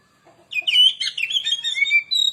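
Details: Oriental magpie-robin (kacer) lure song: after a faint start, a dense stream of bright, warbling whistles and chattering notes continues for nearly two seconds, ending with clear, sustained whistled tones.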